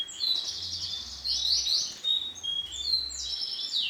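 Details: Bright orange female canary: dense, high twittering chirps and short trills run almost without pause, with a faint low hum underneath.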